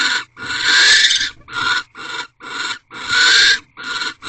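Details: Wild barn owls in a corral owl box during mating on their 15th night, 4 March 2023 at 4:17 am; harsh, breathy hissing screeches in six bursts of uneven length, two long ones near a second each.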